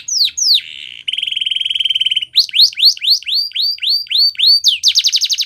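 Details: Training song from a canary, used to get other canaries singing: two falling whistles, then a steady buzzy roll, a run of rising chirps, and a very rapid rolled trill to finish.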